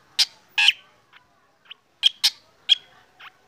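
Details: Morning song of a black drongo out for sunning. Loud, rasping, explosive notes come in an uneven sequence with short metallic whistle tails, mixed with a few softer clipped notes and brief pauses.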